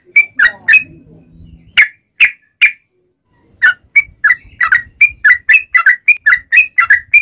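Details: A lively yellow-vented bulbul calls its companions with a few spaced whistled notes, then a steady run of quick bubbly notes alternating between a higher and a lower pitch.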